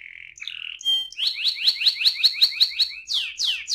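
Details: Canary singing in the ngerol rolling style, used to stir other canaries into song: a few steady whistled tones, then a fast rolling trill of rising notes at a steady beat, ending in sweeping buzzy notes.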